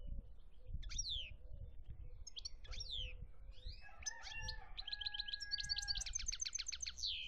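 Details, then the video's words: European goldfinch singing in Algeria, 2017: sharp downslurred notes at first, then a steady held whistle and a rapid, dense twittering trill rising to high pitch toward the end, over a low background rumble. "chont chardonneret algerie 2017"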